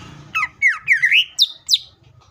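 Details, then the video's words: Cucak ijo, the greater green leafbird, singing tembakan style: six loud swooping notes, some rising and falling, ending in two sharp downslurred whistles, over a faint low hum. "CUCAK IJO FULL TEMBAKAN"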